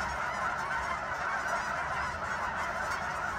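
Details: Flock of geese on Sunset Lake, Guymon, Oklahoma, giving a steady wall of overlapping honks with no pauses.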